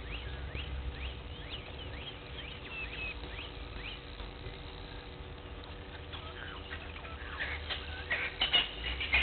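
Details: Blacksmith lapwing at Gowrie dam waterhole, Djuma Game Reserve, Sabi Sand Wildtuin, South Africa, at 06:45 on 03/02/21. Loud, sharp metallic clicks burst out near the end, after a run of short repeated chirps, over a steady low hum.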